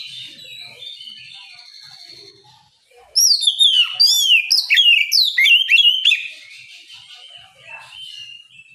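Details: Oriental magpie-robin in ngeplong style, provoking rivals in the morning: soft whistled notes, then a three-second outburst of loud, tumbling, swooping whistles and chirps, dropping back to quieter warbling.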